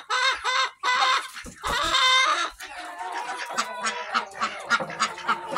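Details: Chickens in a barn flock of many breeds, recorded July 24, 2023, give three loud, harsh, squawking calls in the first few seconds, then the flock keeps up softer, overlapping clucks and murmurs.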